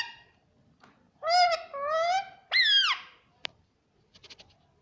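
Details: Green ringneck parrot kept as a pet, taught to say mummy, produces three drawn-out nasal, harmonic syllables in quick sequence, the last sliding downward, followed by a single click and faint soft ticks.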